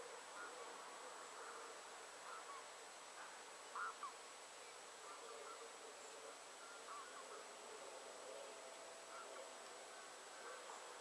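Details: Eurasian bullfinch recorded at 51.755333, 20.215686 gives soft, low piping whistle calls, one clearer note among fainter ones, over a steady background hiss and a thin high insect-like tone.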